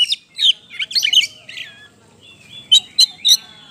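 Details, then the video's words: Oriental magpie-robin (kacer) in persistent song as a lure for other birds: a busy jumble of squeaky whistles and chirps, a quiet pause with a faint thin whistle, then three sharp, evenly spaced notes. "PANCINGAN KACER GACOR NGOBRA NGOTOT"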